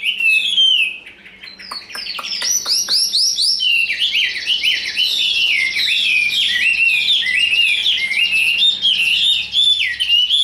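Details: Tame, big Chinese hwamei kept in a cage, in fighting display, pours out a fast run of looping, rising and falling whistles after a few sharp ticks, continuous and loud.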